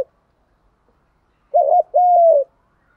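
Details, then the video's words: One spotted dove phrase from a recording meant to get male and female doves cooing: a quick bubbling double note, then a long drawn-out coo that slowly falls in pitch, in near silence. "tiếng chim cu gáy kích bổi nhanh nổi và gáy theo cả ngày"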